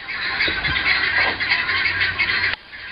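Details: Guineafowl across the road, heard from a porch or dining room in February or March 2010: continuous rasping, chattering calls in a harsh rhythmic stream that cuts off abruptly at the end.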